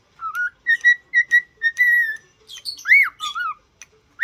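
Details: Cockatiel in training to sing: a run of short, evenly pitched whistles that merge into a long held tone, then a rising-and-falling swoop and a few lower slurred notes.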